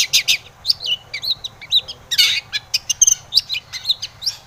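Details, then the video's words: Long-tailed shrike song used to provoke rival shrikes, energetic jumble of harsh chatter, whistled slurs and mimicked notes delivered in quick succession. "KICAU SUARA cendet gacor RAJA PIKAT ini RAJANYA BIKIN NYAUT pentet lain"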